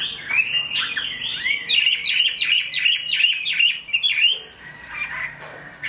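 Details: A Chinese hwamei singing in the rain pours out a loud, rich, fast-changing song of whistled and slurred phrases for about four seconds, then falls quieter over a soft background hiss.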